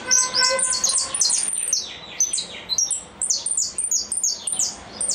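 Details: Repique song from a goldfinch. Dense, ringing, high notes cascade downward in quick succession, with a short tonal whistle at the start and brief pauses between rapid bursts.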